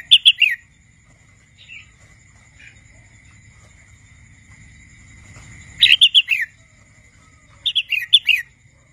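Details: Young wild red-whiskered bulbul learning to sing: three bursts of quick, bright whistled notes, each with a falling slur at the end, at the start, near six seconds and near eight seconds, with quiet gaps and a faint steady hum between.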